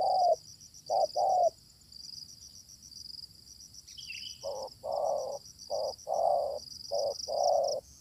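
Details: Spotted dove calls while a wild bird answers a decoy during dove luring. Low, hollow coos come in short-long pairs with pauses between groups. A steady high insect buzz runs throughout.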